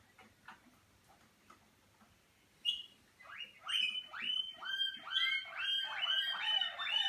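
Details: Malinois Waterslager canary, caged and warming up in its first sessions in the song cabinet. Faint clicks at first, then loud upward-sweeping notes repeated about twice a second, layered in a rolling pattern.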